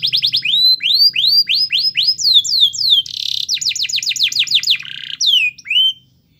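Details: Lively singing canary, played as a lure to set off a canary that is slow to sing. A varied phrase runs from rising upslurred whistles into quick falling notes, a brief buzzy burst, then more slurred whistles.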